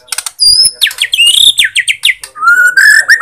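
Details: White-rumped shama from Borneo, used as a lure for sluggish or silent shamas: quick mix of high piercing whistles, descending buzzy notes and a smooth rising whistle at the end.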